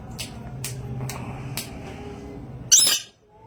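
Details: A rainbow lorikeet (Trichoglossus moluccanus) gives four soft dry ticks, then one loud, harsh, grating screech near the end, over a low indoor hum.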